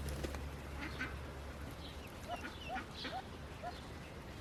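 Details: Newly hatched Indian Runner ducklings still in the nest give a few brief upward-sliding peeps, some high and some lower, over a low humming background that fades after the first seconds.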